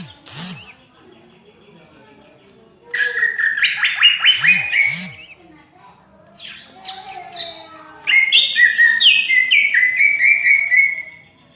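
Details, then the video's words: Greater green leafbird in full 'gacor' song, described as a dense 'rapet' voice resembling a magpie-robin: loud bursts of rich, chattering and whistled phrases, mostly high-pitched, separated by quiet gaps, with soft low thumping in between. "Burung Cucak Ijo Gacor Suara rapet - cucak hijau Gacor rasa kacer"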